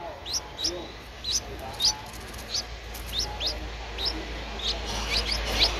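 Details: Ten-day-old Streak-eared Bulbul chick recorded 12 April 2023 in Ubon Ratchathani, Thailand, uttering scattered high upward-flicking peeps, roughly two per second, over a faint low hum.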